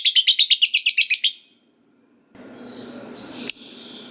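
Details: Fighter lovebird in long ngekek chatter, played to prompt other lovebirds to sing: a fast run of about a dozen harsh, evenly spaced trilled notes, then a pause and one sharp high chip over hiss.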